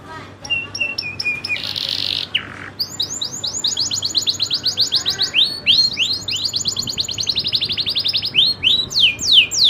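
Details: Local Indonesian canary singing in a rolling, shooting style: a few high whistles and a short noisy burst, then long fast trills of downward-sweeping notes, repeated several per second, with a faint low hum underneath.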